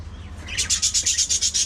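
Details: A budgerigar in a lively social colony gives a fast run of sharp, high chirps, about eight a second, after a soft lead-in, over a faint low hum.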